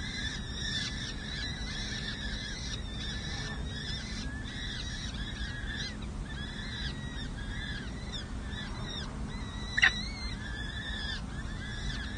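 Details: Peregrine falcon chicks, four nestlings six and seven days old at the San Jose City Hall nest, 7 May 2024, during feeding: a continuous chorus of short arching cheeps over a strong low hum, with one sharp knock.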